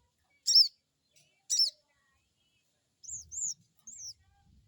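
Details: Lure of crested jay crecet calls meant to stimulate a fresh bird to reply: two loud, rasping, layered chirps, then a quick run of three high, down-curving whistled notes.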